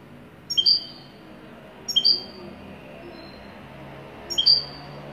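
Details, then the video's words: Wedani goldfinch producing three crisp, high two-part chirps spaced well apart. Each chirp has a bright upper note and a slightly lower echoing note, over soft background noise. "تغريد حسون ويداني"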